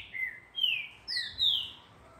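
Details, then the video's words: Green-winged saltator being trained at a breeder gives four clear, slurred whistled notes, the later ones higher and descending, evenly spaced. "Trinca Ferro"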